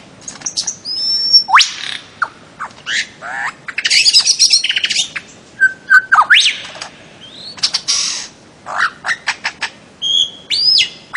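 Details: Bird-of-paradise vocalizing: a long varied sequence of sharp whistles, harsh rasping bursts, short chatters and upswept notes, irregularly spaced with brief pauses.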